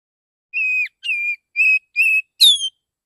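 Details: Morning lure song of a male Oriental magpie-robin, relaxed, calling other magpie-robins: four level, pure whistles about two per second, ending in a higher, falling note.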